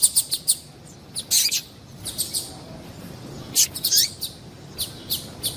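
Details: Female double-collared seedeater call meant to arouse male seedeaters: rapid high, thin chirps in loose bursts, one ending in a descending slur, over soft background hiss.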